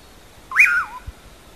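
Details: Common pauraque giving the song known in Brazil as "amanhã eu vou": one clear whistled note that rises quickly, holds, then slides down, lasting about half a second over a quiet background.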